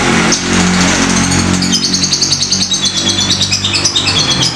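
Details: Lovebird of fighter type, ngetik ngekek lure recording: after a brief pause a shrill, fast twittering chatter starts and keeps going, over a steady low engine-like drone.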